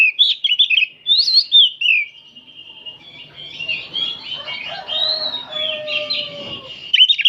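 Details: Oriental magpie-robins singing as a group in the afternoon as training material: loud whistled and warbling phrases at first, then a quieter stretch of varied chirps and thin tones, ending with sharp notes.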